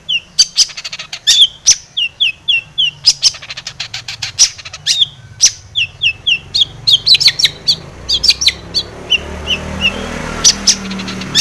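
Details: Long-tailed shrike lure song meant to trigger singing: fast varied stream of short whistles, downslurs and harsh clicks, chattering continuously, fading into faint hiss near the end with a few final sharp notes.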